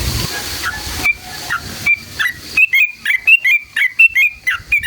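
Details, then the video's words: Sooty-headed bulbul song meant to excite other bulbuls into singing: after a few scattered notes, a steady series of clear whistled two-part phrases, rising then dipping, repeated a little more than once per second. "SUARA trucukan gacor JITU NGALAS ROPEL PANJANG buat PANCINGAN agar burung trucuk gacor EMOSI"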